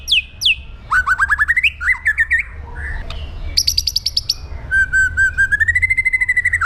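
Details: Murai batu, the white-rumped shama, in aggressive 'pastol jahat' song: high downslurs, then fast rising buzzy note series, rapid rattling trills and a long evenly pulsed whistled run.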